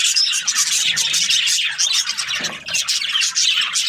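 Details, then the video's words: Budgerigars, breeding pairs kept in an aviary, chattering together in a dense, continuous wash of high, scratchy chirps and warbles with quick whistled notes, briefly dipping in volume midway. "Happy budgie chirping sounds"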